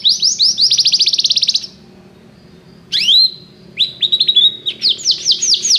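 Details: Canary song for training birds to sing: a fast rattling trill of repeated notes, a pause with faint low hum, then sharp rising whistles and a series of looping downslurred notes.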